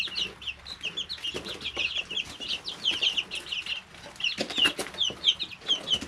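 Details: Several high, thin chirps and trilled peeps from three-week-old chicks in their brooder repeat steadily throughout, some rising and falling, over soft scuffling and pecking taps.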